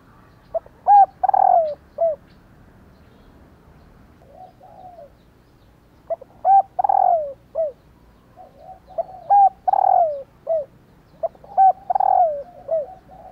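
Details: Repeated calls of a female spotted dove, given to get males to coo. Bursts of a short pip, an arched coo, a long falling trilled coo and a downslur recur every few seconds, with softer wavering notes between them.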